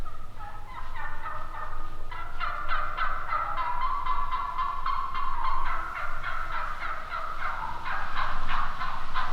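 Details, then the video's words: Turkeys calling: gobbles in an overlapping chorus, with rapid rattling notes about four per second that rise and fall throughout, over a low background rumble. "Turkey Talk! Epic Sounds of Turkeys Calling!!"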